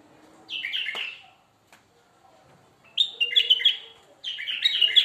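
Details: Strong, sweet bulbul song: one short burst of rich warbling, a pause of about one and a half seconds, then two lively, tumbling phrases in quick succession.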